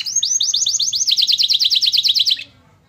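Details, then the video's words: A canary sings pleci-style material to work up other birds. A long, fast trill of sharp chipped notes, roughly eight per second, runs for over two seconds and stops abruptly. "Burung kenari bocor materi pleci untuk menaikan emosi"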